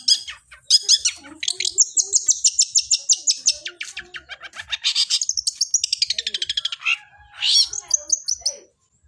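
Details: Long-tailed shrike (cendet) singing its gereja-style fighting song: scratchy mimicking chatter, a run of rapid harsh notes, a falling whistled trill, and a final sharp upward-sweeping note.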